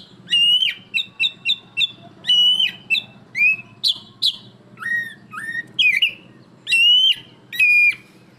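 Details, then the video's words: Black-breasted oriental magpie-robin singing loudly: clear whistled notes with sharp upward and downward slurs, short phrases repeated roughly once a second, some bright rising whistles, with a faint low hum underneath. "Kacer Dada Hitam Dengan Suara Lantang"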